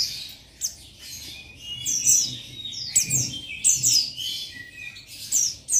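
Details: Male Oriental white-eye (buxtoni) calling a rival, giving high, sharply falling chirps, denser in the second half, over a soft murmur of background twitter.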